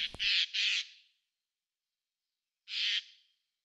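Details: A Eurasian jay, heard in woods, parks and large gardens with trees, gives harsh, hoarse rasping screeches: two quick rasps, then a third after a short pause, with a brief click at the start.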